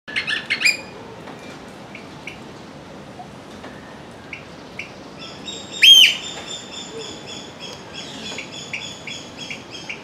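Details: Eurasian oystercatcher at Ueno Zoo, Tokyo, during steady rain in July 2020: loud, shrill piping notes over the steady hiss of rain.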